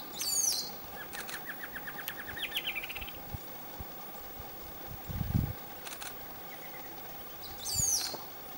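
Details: Chapman's antshrike at Palambla, Piura, Peru, gives a quick run of mid-pitched notes that speed up and trail off; another bird adds high, sharp descending notes at the start and end.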